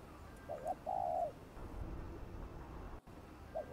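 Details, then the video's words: Spotted dove call meant to stir wild doves into calling for trapping: a double coo and a long mellow croo over steady low rumbling background noise, with another double coo starting at the end. "Tiếng cu gáy gọi thúc gù kích mồi tập bổi, kích bổi ức chế gáy nhanh"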